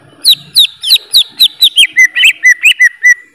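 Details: Greater green leafbird singing a steady run of about twelve loud whistled notes, each sliding down sharply from high to lower pitch, spaced roughly a quarter second apart, the later notes flattening into short level whistles.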